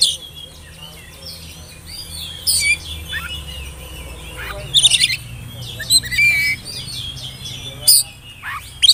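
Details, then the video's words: Young spotted oriental magpie-robin whistling as a singing lure: soft twitters build to sharp chirp bursts and a brief clear whistle, with gaps of quieter notes and a low hum throughout. "pancingan suara burung kacer bersiul bikin emosi lawan cocok buata pancingan kacer muda"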